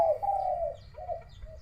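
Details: Spotted dove calling near midday in Thailand, a bird described as a one-kuk voice moving from middle to small tones; a drawn-out smooth coo followed by two shorter softer coos.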